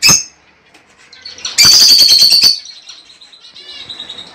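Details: Lovebird mating call for breeding: one sharp squawk, then a dense second-long burst of shrill chattering trills fading into softer high twittering.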